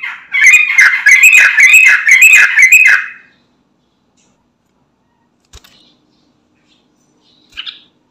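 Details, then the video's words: Sooty-headed bulbul singing gacor as a lure for untrained birds: three seconds of fast, chattering bubbly notes, then quiet broken by a faint click and one short distant chirp. "Trucukan Bahan, Ombyokan Langsung Nyaut Dengar Suara Trucukan Gacor ini"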